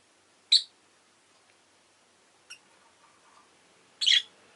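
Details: Pet rosy-faced lovebird uttering a loud piercing chirp, a faint thin peep, then a harsh rasping double chirp after a pause, over quiet room hiss.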